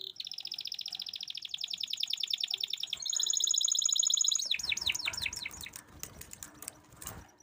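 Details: Canary singing a prompting song for stalled or lazy canaries. A rapid pulsed trill climbs into a higher trill, then breaks into quick falling sweeps over a noisy, hissing background.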